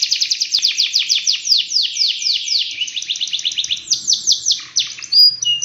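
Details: Long canary song for teaching other canaries. Dense rolls of falling whistled notes shift into a slower series of separate slurred notes and end with brief level whistles.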